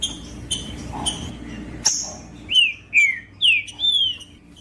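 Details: Green-winged saltator song intended to warm up a silent bird: soft scattered notes, then four loud, pure whistles each gliding downward, roughly half a second apart, over a quiet hum.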